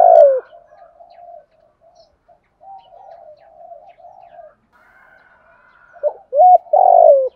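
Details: A decoy spotted dove calls in the morning to attract wild doves. Soft, low murmuring notes fill most of the recording, then loud, mellow falling coos mark the beginning and the final second and a half.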